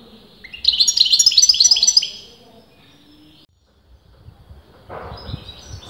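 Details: Caged European goldfinch of uncertain sex singing a burst of rapid, tinkling twitters for over a second, followed by quiet and then a rush of broadband rustling noise.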